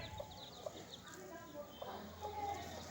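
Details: Chicks with their mother hen as she teaches them to find food; soft, faint peeps mixed with low clucking notes, a few brief higher chirps, against a quiet, murmuring background.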